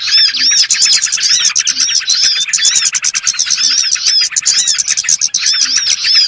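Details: Lure chorus of small birds (burcil) for trapping birds: a continuous flock-like chatter of high tweets and arched whistles, dense and unbroken, with faint low soft notes now and then underneath.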